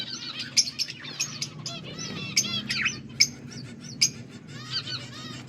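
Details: Budgerigars chirping, for lonely birds: a busy, overlapping chatter of short bright chirps and warbled rising and falling notes, with sharp clicks standing out, over a low steady background hum.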